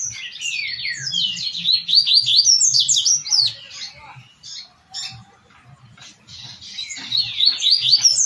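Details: Double-collared seedeater delivering a 'tui tui' type song meant for training captive birds: long runs of quick, descending high chirps, rapid and busy, pausing midway, then resuming, over a faint low rhythmic hum.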